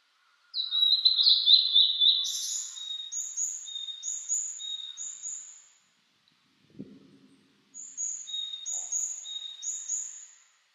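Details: Blue-and-white flycatcher singing in the mountains amid fresh spring greenery, 2022, on a cloudy 14°C day after rain: two phrases of clear descending whistles, each ending in harsher buzzy notes, with a brief low thump between. A Japanese thrush was also heard singing in the distance.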